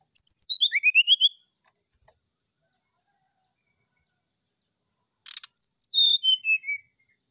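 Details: Brown-chested jungle flycatcher giving its morning flute-like sulingan phrases for training kept birds. Rapid stammered whistles descend, then after a pause a crackling burst leads into drawn-out whistles sliding lower in steps.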